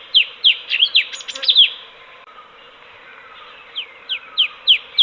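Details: Sooty-headed bulbul, a bird kept at home as a master songbird, giving quick downslurred chirps in a fast burst, then a short pause, then four more spaced chirps. Faint steady hiss underneath.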